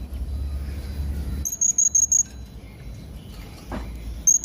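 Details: Javan hanging parrot song: a quick series of five very high, thin, sharp whistled notes, then another after a pause, over steady low rumbling background noise.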